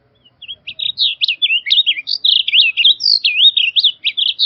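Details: Song of a blue grosbeak, a long continuous warble of quick slurred syllables, rising and dropping in tight loops, delivered for nearly four seconds without pause; no other sounds intrude.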